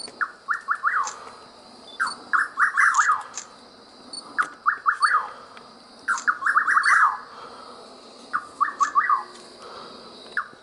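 A Rufous Nightjar gives quick phrases of four or five rising, whistled notes, repeated about every two seconds, over a steady high hum of insects.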